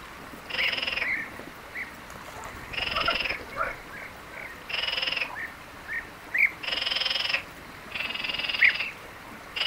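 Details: Several European bee-eaters calling in open country in Palestine: repeated burry, rolling trills, some overlapping, with short chirps between them and a faint background hiss.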